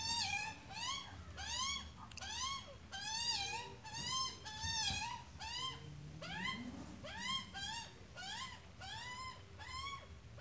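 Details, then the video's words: Australian magpie, an adult with its chick, giving a steady run of short, arched, harmonic-rich calls, each rising then falling, repeated about once per second with brief pauses, over a low background hum. "Australia magpie and chick"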